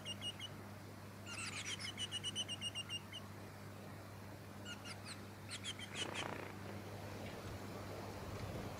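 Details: Splendid fairywren of the black-backed race melanotus, Victoria, Australia, December 2017: short high-pitched trilled bursts of rapid, evenly spaced notes, a pause, then further quick high trills, with constant low background hum.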